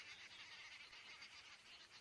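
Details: Arrow-marked Babblers on a cold morning, 22 July 2016, in Sabi Sands by a low-lying river, sounding cross, apparently after a small animal stole their food, chatter in a harsh, continuous, scratchy, high, grating chorus without pauses.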